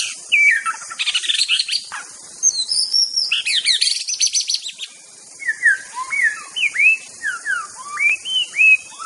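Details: White-rumped shama of the Aceh type, in a master song recording. Varied, rich song of fast buzzy and whistled phrases, then clear, rising and falling whistles repeated in a run.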